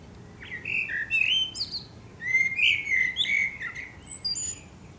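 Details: Eurasian blackbird singing at sunset in Akersloot, Netherlands, on 30 March 2018: mellow, fluting warbled phrases that slur up and down, each ending in a thin, squeaky high twitter, with faint background hiss.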